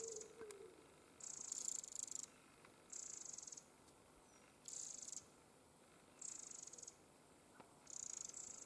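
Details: Eurasian wrens, a family with recently fledged young close to the nest: six high, buzzy, hissing bursts, each lasting over half a second, repeating roughly every one and a half seconds, with a quiet gap between each.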